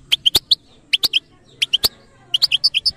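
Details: Crisp goldfinch chirps in the batbata style from a European goldfinch, coming in tight groups of three or four notes and ending in a faster run of six tweets.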